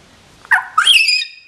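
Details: Pet common hill myna doing speech practice at 11 a.m. on 24 July 2015, uttering a loud two-part speech-like phrase: a brief mid-pitched syllable, then a longer harsh, bright, harmonic-rich drawn-out sound fading off.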